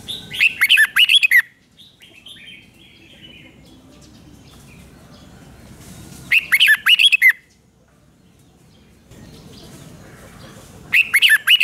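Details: Red-whiskered bulbul from Thailand repeating its doubled five-syllable song three times, about five seconds apart. Each phrase is a rapid cluster of bright, warbled, bouncing notes, and faint twittering is heard between phrases.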